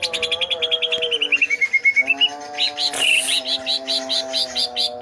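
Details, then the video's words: Twelve greater green leafbirds singing chattily: a quick series of chirps that slides downward into softer notes, then a noisy burst and a steady run of loud, evenly spaced whistled chips, with a constant low hum beneath. "12 BURUNG CUCAK IJO 🐦🐦🐦 CEREWET DAN GACOR"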